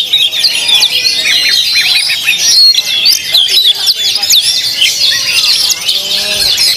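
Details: Oriental magpie-robin (kacer) at a singing contest near Cikarang, Indonesia, on the 17 August holiday, first contest after moulting and a first-place winner among four rival birds: dense, rapid, varied whistles and chirps overlapping with other birds, faint voices behind.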